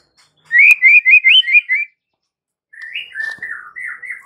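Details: White-rumped shama singing to provoke rivals: a fast run of six rising whistled notes, a pause, then a warbled, wavering phrase of lower whistles.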